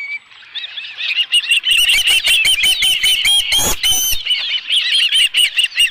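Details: Osprey at the Dunrovin Ranch nest with a live fish, 11 July 2018, around 12:41 PM: rapid series of short, high whistled chirps, about two to three per second, with bursts of wing flapping or rustling mid-clip.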